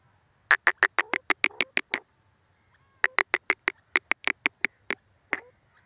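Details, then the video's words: Caged francolin giving two quick runs of loud harsh clicking notes, roughly ten per run, separated by a brief pause, with faint background hum. "teetar k pinjrai r sound khairpur teetar ki awaz"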